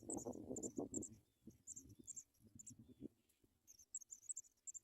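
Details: Paddyfield pipit nestlings begging for food from a parent: bursts of tiny, very high chirps separated by pauses, with strong low rustling at the start and softer shuffling after.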